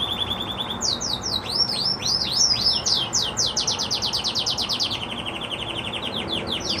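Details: Red Agate canary singing happily: a low even trill, looping upswept notes, then long runs of rapid falling notes that settle into a lower repeated trill.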